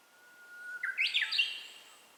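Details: Japanese bush warbler singing, captured with a handheld camera: a sustained, level whistled note leads into a sudden stepped climb of rapid, sharp, ringing phrases that fades out. Faint hiss behind.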